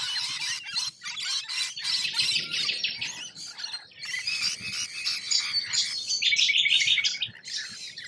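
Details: Wild rainbow lorikeets in Australia: a continuous din of harsh, screechy squawks and chattering calls from several birds, overlapping without pause.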